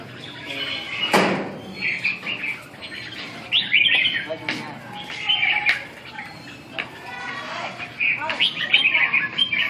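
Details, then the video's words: Red-whiskered bulbul in song practice on 2 June 2012, giving scattered bursts of warbled chirps separated by pauses, with a sharp knock near the start and faint clicks in the background. "dợt cm 2/6/2012"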